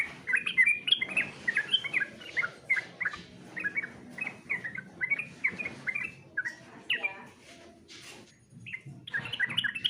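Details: Sooty-headed bulbul competition song: nearly continuous quick chirpy whistles in lively repeated phrases, with a short pause near the end before the chirping resumes.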